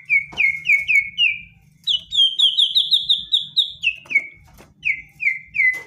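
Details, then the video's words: Provoking song of an aggressive white-rumped shama; clear downslurred whistles repeated about every third of a second, a fast higher whistled trill in the middle, then more spaced whistles. "BIKIN MURAI DIEM JADI GACOR EMOSI"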